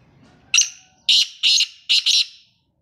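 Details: Black francolin male gives a loud, rasping call: one harsh opening note, then four grating notes in two tight pairs, evenly spaced over about two seconds, with a quiet background.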